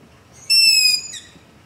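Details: Single loud begging screech of a long-eared owl, recorded at night near a house with a ZOOM H5 and LOM Usi Pro: a high, harmonic, gate-like squeal about half a second long, trailing into a short lower tail.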